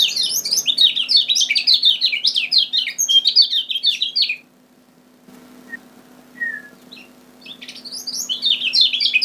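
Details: Energetic, chattering song of a lemon-bellied white-eye from Lombok, used to lure birds: rapid high twittering notes for four seconds, a pause with a soft whistle, then the tumbling chirps resume.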